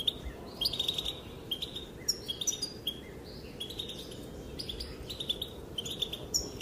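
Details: Female European goldfinch calling, her voice said to make males dance: lively, high twittering phrases in irregular bursts, thin bell-like notes mixed with quick trills, separated by short quiet spells, against soft low background noise.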